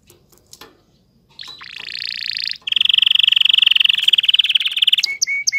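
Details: Canary singing, recorded in 2020: a short buzzy rattle, then a rich rolling trill held steady for about three seconds, ending with a few clear whistled notes.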